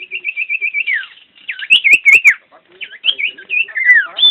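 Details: Common iora, a champion bird singing actively: a run of short even whistled notes, then a falling slur and a series of looping, warbled whistles, broken by a few sharp clicks.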